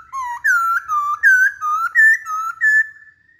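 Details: Chinese hwamei in full song: clean, loud whistled phrases of about seven level and gently slurred notes, evenly spaced and alternating slightly in pitch, in a quiet setting.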